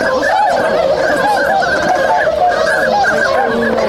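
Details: Swans waking up at a wintering spot in Inzai City, Chiba, Japan, on 16 January 2022; short, bouncing nasal honks repeated rapidly over a constant background of further flock calling.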